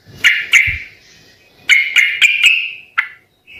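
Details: Lively, persistent song of a sooty-headed bulbul, meant to set other birds answering: two bright chirps, a pause, then five quick clear notes, one last chirp and a short drawn whistle.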